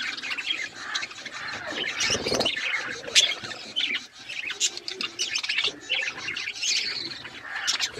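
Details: Pet budgerigars chirping while eating: a dense, continuous chatter of high, scratchy chirps and warbles overlapping throughout, with brief louder squeaks near the middle.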